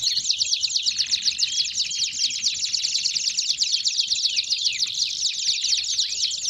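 Belgian canaries sing a continuous, high, rapid stream of trills and rolling chirps, with several voices overlapping and no pauses.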